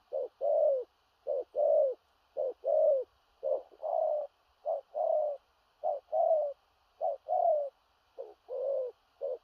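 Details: Big-bodied spotted dove giving 'thổ rặc' coos with stuttering 'gù cà lăm' phrasing: a steady run of low, hollow short-long note pairs, each long note slightly falling, about one pair per second, no other sounds.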